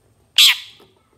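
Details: A single loud, rasping squawk from a long-tailed shrike on a master recording for training songbirds; the call starts abruptly and decays quickly into quiet.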